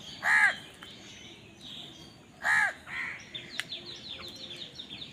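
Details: Two rasping caws spaced about two seconds apart from crows fighting for food, followed by faint scattered chirps and rustling in the background.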